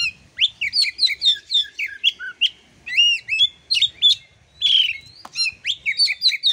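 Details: Oriental magpie-robin song, used as master recording for teaching birds whose voice is not yet full: rapid, continuous varied phrases of clear rising and falling whistles, slurred notes and sharp chips, loud and close, with faint low background hum.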